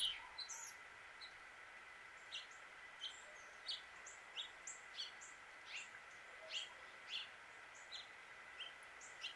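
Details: Male house finch in Suffolk, Virginia, USA, calling and chirping: short, high chirps scattered every half second to second, with no full warbling song, over a steady mid-pitched background drone.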